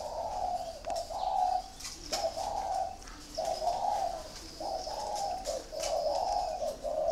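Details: Several spotted doves in cages on a rack in northern Vietnam's Ba Vì area near Hanoi, giving deep, smooth coo phrases about once every second or two, separated by short gaps, with faint clicking noises behind.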